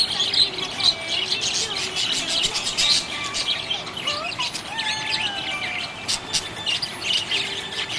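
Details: Happy budgerigar chirping: a dense, continuous chatter of high buzzy chirps and scratchy warbles, with brief bursts and a few fainter, lower sliding whistles running beneath throughout.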